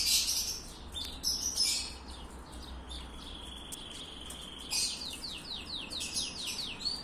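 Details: Copper-coloured domestic canary singing in breeding excitement: scattered high chirps, a sustained thin whistled tone, then a fast run of repeated descending sweeps in rolling trill tours, over a low background hum.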